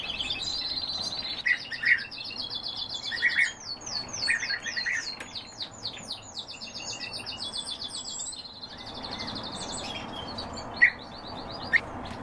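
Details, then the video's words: European bee-eaters in a chorus of rolling, liquid trills, calls overlapping and repeating for several seconds before fading, with occasional sharp clicks. "Merops apiaster"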